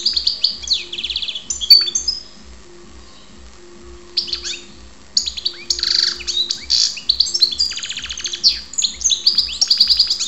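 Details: European goldfinch (karderina) singing near Ptolemaida, Greece: bursts of bright, fast twittering and buzzy trills high in pitch, with rapid rattled notes, pauses between phrases and a faint steady low pulsing hum beneath.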